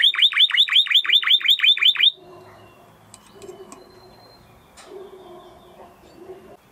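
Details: Spanish Timbrado canary delivering a rhythmic trill of strongly falling, looping notes, about five each second, for two seconds, followed by quiet faint background murmur.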